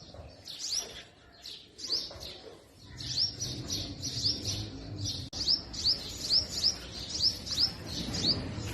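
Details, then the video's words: Purple sunbird giving thin, high, sharp chirps, then quicker runs of rising notes about twice a second, in forest trees in spring in north-west Pakistan, over a low background rumble. "Hummingbird Noises | Hummingbird Sounds"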